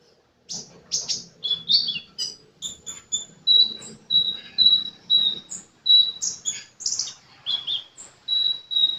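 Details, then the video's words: Sunbird singing vigorously, a rapid run of thin, very high chirps and sharp downslurred notes, shifting into steady, pure whistled notes repeated about every half second, with a faint low hum in the background. "Burung kolibri gacor"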